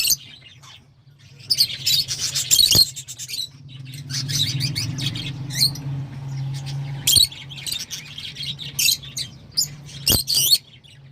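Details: Lovebirds producing harsh, high chattering squawks in repeated bursts, several loud outbursts spaced through the recording, with a steady low hum and soft clicks in the background.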